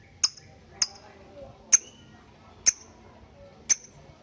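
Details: Lovebird giving sharp, high ticking notes, the ngetik style said to call a rival and prompt steady ngekek trilling in young birds; five clipped clicks spaced about a second apart over quiet low hum.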